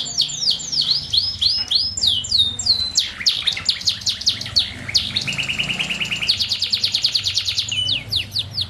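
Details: Canary singing in the morning, played to get quiet canaries singing: rapid high chirps repeated in quick series, then fast even trills on a steady pitch, over a constant low hum.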